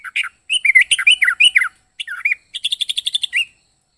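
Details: Yellow-vented bulbul with an unusual, strange voice: bursts of bubbly, chattering notes that dip and rise, then a pause and a fast run of evenly repeated short chirps near the end.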